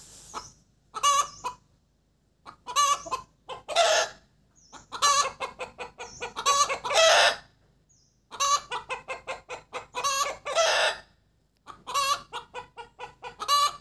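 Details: Laying hen cackling steadily after producing an egg: bursts of quick clucks building into long harsh squawks, repeated over and over with brief pauses between runs.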